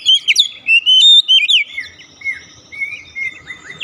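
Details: Kacer, the Oriental magpie-robin, singing a lure song to prompt a silent bird into song: fast sequence of bright whistled and slurred notes, some long level tones, running continuously with little pause.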